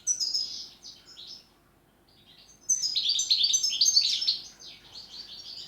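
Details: European goldfinch singing in the 'pletivo, ziju u ziju, stanka' style: high, rapid twittering bursts with a brief silent pause, then a louder, denser tinkling run of chirps.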